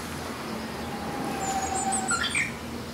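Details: Korean bush warbler in a hillside bamboo thicket in spring, its quieter song a faint drawn-out whistle ending in a brief bright flourish, over a noisy background with distant high trills.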